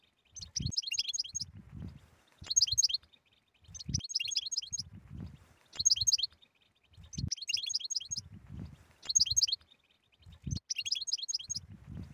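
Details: Repeated short bursts of sparkling, rapid goldfinch twitters, coming roughly every one and a half seconds, separated by low rumbling knocks.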